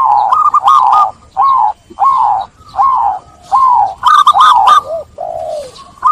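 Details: Lure recording of zebra dove song meant to restart cooing in birds stressed from capture: a steady run of short arched coos with slurred ends, evenly spaced, then a brighter stuttering burst near the end.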